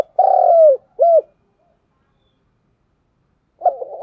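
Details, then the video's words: Decoy spotted dove in the vigorous 'thúc gù' cooing style: soft lead-in notes, a long, rough, downward-sliding coo, then a short hooked coo. A new phrase begins near the end, with silence between. "cu gáy thúc gù, sung và rất căng// tiếng cu gáy mồi chuẩn"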